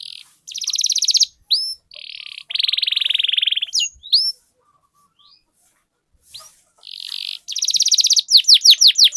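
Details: ['Canary song for prompting other canaries to sing and roll: long buzzy trills at high pitch, rapid repeated notes, whistled upslurs, ending in a series of sweeping descending notes, with short silent gaps between phrases.']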